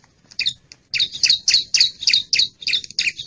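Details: Wild ciblek, the bar-winged prinia, lure sound for attracting wild birds: a fast, fairly steady series of buzzy, chirping high notes, about four per second, after a few scattered opening chirps.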